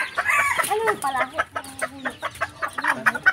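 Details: Many red junglefowl (labuyo) roaming free in a rural backyard give quick, overlapping clucks and short harsh squawks in a busy chorus, with a possible human voice in the background.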